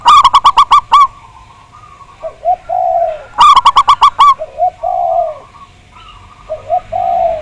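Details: Zebra dove (perkutut) song for luring another bird to sing: two loud bursts of rapid staccato coos, each followed by softer low, drawn-out cooing phrases.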